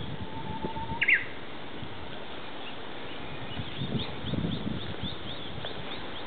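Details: Japanese bush warbler in the woodland of an ecological garden: a short, low steady whistle leading into a brief high twisting flourish, then faint distant chirps amid steady low rumble and rustling.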